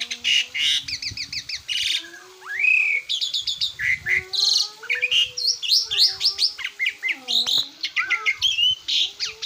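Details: Asian pied starling song used as a master recording for training cage birds: varied loud whistles, rising and falling slurred notes and rapid buzzy trills in quick succession, with a steady low hum beneath.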